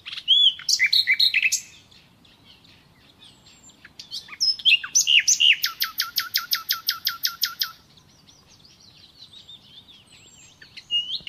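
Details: Singing nightingale: scattered whistles and chirps, a complex phrase, then a long run of rapid, evenly spaced rattling pulses, followed by softer high notes.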